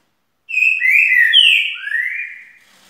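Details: Green-winged saltator whistling its melodic song: a sustained opening note, slurred middle notes, a strong high note falling in pitch, then a rising lower phrase ending the two-second strophe. Otherwise quiet.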